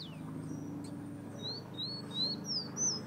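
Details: Fire-red Guyana bird whistling: after a quieter start, a quick phrase of high, arched whistled notes about three per second, rising in loudness, over a steady low hum.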